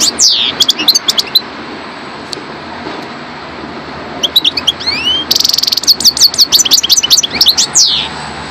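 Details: Goldfinch, subspecies parva, opening with a few scattered high chirps, then a short gap, then bursting into a rapid run of liquid twitters, swooping slurs and a buzzy trill toward the end.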